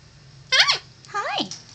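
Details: One-year-old female Bare-eyed Cockatoo kept as a pet, greeting its owners with "hi": a bright, rising-falling syllable followed by a longer, slightly hoarser second "hi" a half second later, with faint room hum.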